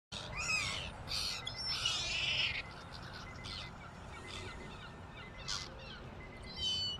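Gulls give harsh, nasal calls in quick bursts over a steady rush of background noise.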